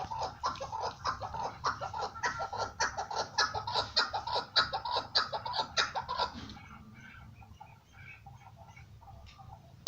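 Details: Chukar partridge giving a fast series of harsh, chuckling notes, about two per second, rising into a loud rattling run before dropping away to quieter scattered notes indoors.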